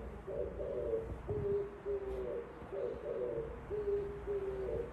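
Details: An Oriental turtle dove sings outside a window. Low, husky cooing phrases repeat steadily through the recording, each a cluster of two or three muffled notes with brief pauses between them, over a faint steady hum.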